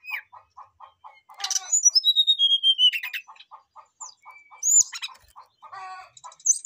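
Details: Brown-chested jungle flycatcher in full, varied whistling song meant to call out a rival: quick low ticks in series, then one long clear whistle sliding slowly downward, followed by scattered high whistles and chatter.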